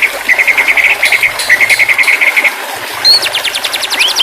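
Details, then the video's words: White-rumped shama song used as therapy audio for a stressed bird that has stopped singing: quick runs of rapid, evenly spaced notes, then a high whistle and a fast buzzy trill near the end. "terapi burung murai batu stress/ macet bunyi auto bunyi kembali"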